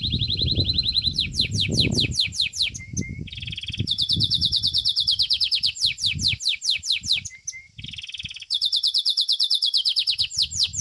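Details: Belgian domestic canary competing in song: a continuous stream of fast high trills and rolls changing pitch every few seconds, with brief soft low whistles between phrases and low rumbling noise beneath the first two seconds.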